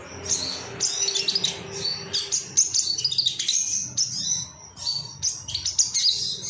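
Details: Agitated male ruby-cheeked sunbird calling out rivals, a dense stream of very high, sharp chips and quick twittered phrases, almost continuous, with faint low background rumble.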